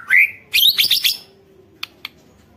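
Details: White-rumped shama song meant to prompt other shamas to sing: a rising whistle, then a rapid burst of harsh high notes, two faint clicks afterwards.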